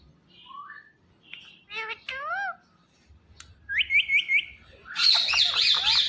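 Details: Indian ringneck parrot kept as a talking pet gives a varied run of sliding whistles and short chatter, then a series of four quick rising notes and a burst of loud raspy squawking at the end.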